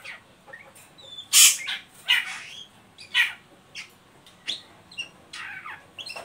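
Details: Oriental magpie-robin in ngeriwik style, meant to stimulate untrained birds to sing: a loud, piercing opening burst, then a run of scratchy, buzzy notes and short whistles, irregular, around thirty per minute.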